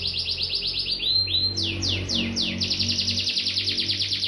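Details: Fired-up domestic canary, Bandung, Indonesia: a quick trill, a rising whistled slide, several broad sweeping notes, then a steady run of rapid high repeated notes, low hum underneath.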